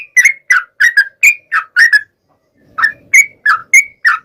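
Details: Yellow-vented bulbul song used to lure other yellow-vented bulbuls into singing back: short, bright, slurred notes delivered in a quick series, a pause of about half a second, then several more notes in the same style.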